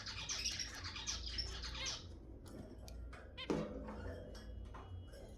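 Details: Zebra finches chatter in a thick, hissing burst for two seconds, then give separate short nasal honks and beeps; sounds played to stimulate mating, low hum beneath.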